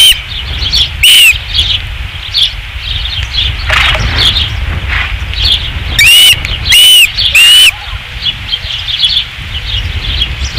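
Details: At a Dunrovin Ranch nest on 5 August 2016, an osprey gives one loud, arched whistle, then after a pause three more in a row, over rustling, flapping sounds and faint chirps.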